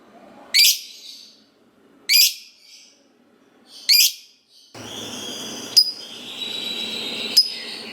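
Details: Lovebird used as a singing prompt for other lovebirds, giving three loud harsh shrieks about one and a half seconds apart, followed by a steady high hiss with two sharp squeaks over it.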